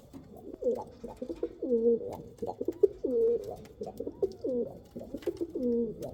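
Pigeons give soft, low, rolling coos in overlapping bursts about every second, with a faint indoor echo.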